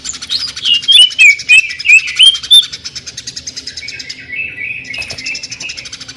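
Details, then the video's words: Greater green leafbird delivering its sewing-machine, jamtrok tembakan song: a loud burst of quick sweeping whistles in the first three seconds, followed by quieter buzzy chatter over an unbroken rapid rattling pulse. "CUCAK IJO JAMTROK TEMBAKAN SUARA MESIN JAHIT"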